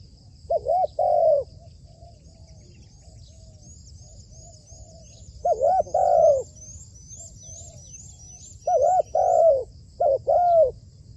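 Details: Trained decoy spotted dove on a rooftop. It makes loud bursts of two or three arched coos with long gaps between them, softer coos in the pauses, and thin high chirps overhead throughout.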